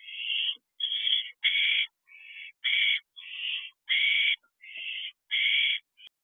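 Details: Barn owl owlets at a nest box before dawn on 30 May, calling for more food close to fledging: a steady string of nine or ten harsh hissing screeches, the loud ones alternating with softer ones, a few overlapping.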